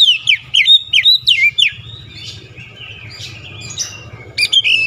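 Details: Oriental magpie-robin singing insistently and showing off its repertoire, with a quick series of loud falling whistles, then softer, scratchier warbling notes, over a low background rumble.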